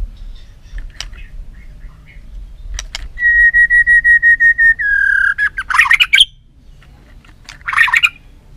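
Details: White-rumped shama training its voice: after scattered clicks, a long train of evenly pulsed level whistles, a lower held tone, then harsh noisy bursts of notes.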